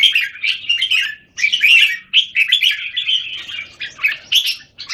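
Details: Caged red-whiskered bulbuls singing in Singapore on 17 January 2019, one bird against a group; lively warbled phrases in clusters, a short silence near the second-and-a-half mark, then more overlapping chirps.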